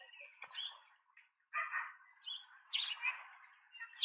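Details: Large Speckled pigeon chicks being fed at their nest in Pretoria, South Africa, on 28 September 2024, caught by a nest camera: raspy, squeaky begging notes run almost continuously, with sharper high squeals breaking through near the end.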